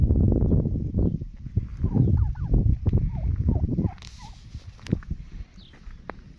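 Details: Wild turkey calling in a quick series of short, bent yelping notes around the middle, preceded by loud low rumbling and followed by a few sharp clicks and quieter background noise.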